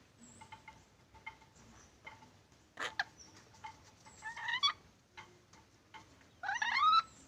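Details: Black-capped lory giving harsh, harmonic squawks: a short wavering burst midway, then a louder, rising-and-falling screech near the end, over scattered faint clicks and thin high chirps.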